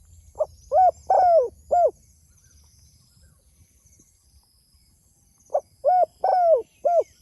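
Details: Spotted dove calling to others: two low hollow phrases separated by a long pause, each made of four coos, with the third note longest and gently falling in pitch. Faint high hissing runs through the quiet background.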